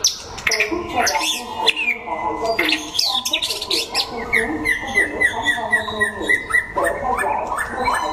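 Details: Contest singing by a white-rumped shama (chòe lửa) in Đắk Lắk, Vietnam: rich, varied whistled phrases with steep slurs, a long steady whistle in the middle and quick chattering notes, over a background of people talking.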